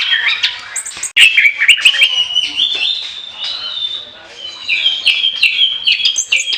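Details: Orange-headed thrush singing in full, continuous chattering style, song offered as a lure: dense run of bright whistles and rapid trills, mostly high-pitched, with short sharp notes and a brief pause near the start.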